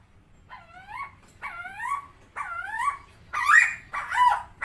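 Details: Captive helmeted friarbird, locally cucak timor, first giving three smooth whining upslurred notes spaced about a second apart, then two loud harsh squawking notes.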